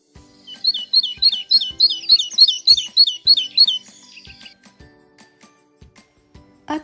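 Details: A tit, a wintering forest bird, repeats a bright, high two-note phrase about eleven times in three seconds, then gives a brief buzzy trill; faint low clicks run underneath.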